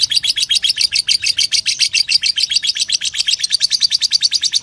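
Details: Lovebird giving a long ngekek chatter, the kind used as a master recording for training songbirds: a fast, even stream of high, harsh chirps, about six per second, continuing unbroken throughout.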